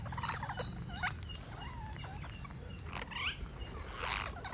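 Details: A parakeet at feeding time gives rapid, squeaky, chattering begging notes in short bursts, with soft rustling and low background rumble.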